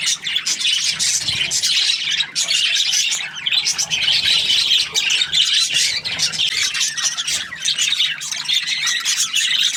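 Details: A cheerful budgerigar keeps up nearly ten seconds of nonstop high chatter: scratchy chirps, thin squeaks and harsh squawks in quick bursts, dipping briefly now and then before resuming.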